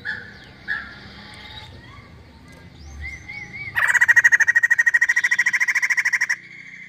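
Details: After soft whistled and slurred notes, a female white-crested laughingthrush breaks into an intense pulsed scream, fast harsh beats lasting about two and a half seconds, ending in a short held note.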